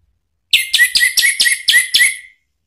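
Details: Orange-headed thrush song used to provoke another bird into answering: a rapid series of about seven loud, clear whistled notes repeated roughly every quarter second, ending abruptly.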